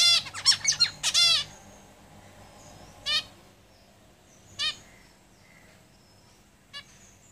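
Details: Caged zebra finches singing: a rapid burst of stacked, nasal buzzy notes in the first second and a half, then sparse single harmonic calls spaced a second or more apart against a quiet background.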